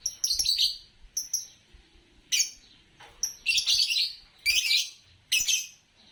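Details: Green Fischer's lovebird chirping: loud, harsh, high-pitched bursts repeated irregularly, some short clipped notes and some longer scratchy chatters, with quiet gaps between them.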